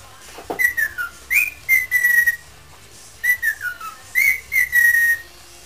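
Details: Pet parrot in a singing mood improvising a tune, with clear whistled notes that glide downward or hold steady, grouped in two short phrases separated by a brief pause, in a quiet indoor setting.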